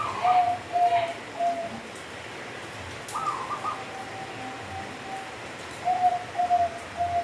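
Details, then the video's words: Kenthing-style song of a local zebra dove: mellow cooing notes, a rolling higher trill around the middle, then another run of soft coos, over faint background hiss. "Perkutut Lokal Suara Kenthing"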